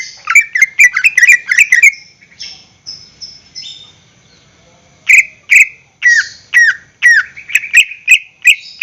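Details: Greater green leafbird, caged, singing as a lure for other birds: fast chattering trills and whistles, a quieter pause, then loud repeated slurred notes roughly twice a second.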